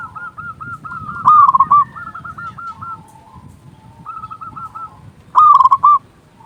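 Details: Local zebra doves with a big voice, sound used to lure doves: two loud stuttering cooing phrases of quick rolling notes, with softer doves cooing behind and a low rumbling background.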